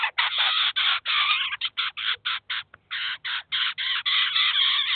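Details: At a cheese feeder in Kaluga, a Eurasian jay leads its chicks in and feeds them. The clip is a near-continuous run of coarse, grating screeches, about four a second, with only brief gaps.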